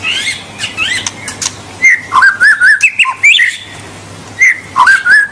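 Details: White-rumped shama singing to prompt young birds into song: scattered short whistles, then a string of clear, looping whistled notes, a pause, and another looping phrase, over a low steady hum.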